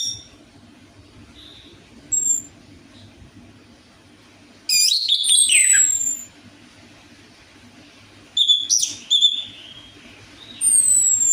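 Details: Orange-headed thrush lure song meant to prompt a quiet bird to sing: brief scattered high notes, then two loud, complex phrases of sharp descending whistles and chattering trills, separated by long quiet gaps over a low background hum.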